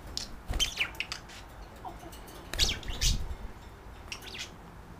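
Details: A female budgie staying as a guest and a male budgie flirt and call to each other when put up for the night; busy bursts of scratchy chirps and chattering notes, pausing briefly mid-clip before resuming.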